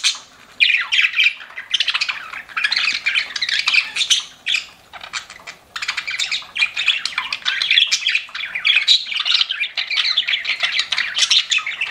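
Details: Pet budgies chirping: an opening burst of squawky chatter, a short lull, then a long stretch of dense warbling and scratchy chirps from several birds.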